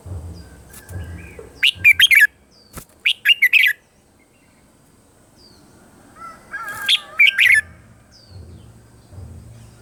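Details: Red-whiskered bulbul giving its morning song for voice training, with several clusters of quick, shrill chirped notes over a low background hum and faint rustling.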